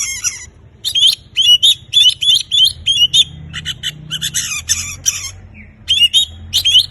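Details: Oriental magpie-robin in full song, played to prompt silent birds to sing: loud bursts of rich, varied whistled phrases mixed with harsh scratchy notes, short gaps between phrases, faint low hum beneath.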